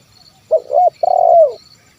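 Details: A single 'kuk 1' phrase from a spotted dove, used to lure wild birds: a quick double-noted coo, then a longer rough, vibrating coo that slides downward at its close.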